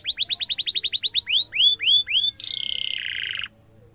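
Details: Canary song used as a master recording for training young canaries: a fast run of rising whistled sweeps, then slower separate upslurred notes, ending in a dense buzzy trill that drops in pitch before stopping; faint low hum beneath.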